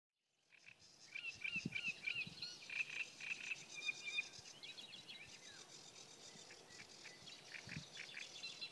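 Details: Great reed warbler singing by the Kyjovka stream at Lanžhot on 15 May 2016: a rapid run of harsh, chattering and grating notes, several per second, over a busy wetland chorus of other small callers.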